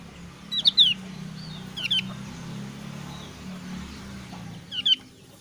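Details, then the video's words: Javan grey-throated white-eye, the thin-browed form of the Javan white-eye: short high sharp calls given in pairs and brief bursts, with long gaps between, over a low steady hum. "ciri khas suara burung opior alis tipis"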